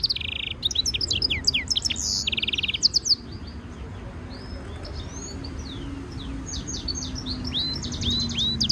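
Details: European goldfinch mule, a hybrid, in a training stimulation song: a brisk burst of buzzy trills and twittering slurred notes for about three seconds, then soft scattered high chirps over background hiss.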